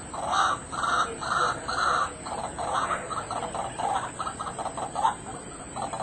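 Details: A White-breasted Waterhen in Kuala Lumpur, Malaysia, gives harsh, croaking notes, four loud ones about a second apart, then a run of quicker, shorter grunts over a steady hiss.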